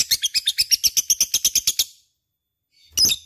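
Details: Lovebird, described as gacor (in full, lively voice), chirping: a fast run of about fifteen sharp high chirps, evenly spaced over two seconds, then a pause and one more harsh chirp.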